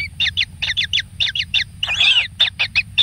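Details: One kingfisher chick being lavishly fed gives quick, rasping double notes in a stuttering rhythm. Partway through comes a louder, longer, churring squawk.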